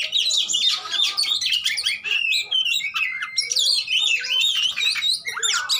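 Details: Oriental magpie-robins sparring in song, used to rouse a bird that has fallen silent: rapid mixed whistles, squeaky chips and harsh scolding notes tumble over one another for the whole stretch.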